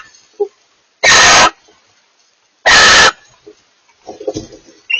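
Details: Barn owl pair calling to each other: two loud, raspy, breathy screeches about two seconds apart, with quieter scraping and rustling sounds between and after them.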